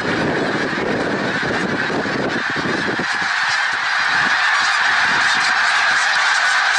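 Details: Snow geese en masse at Middle Creek Wildlife Refuge, Pennsylvania, 1 March 2021, a loud, shrill, unbroken chorus of high honks, a low rushing rumble fading after the first half.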